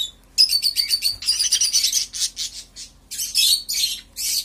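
Budgerigars chatter in fast, buzzy, high-pitched bursts of warbled chirps.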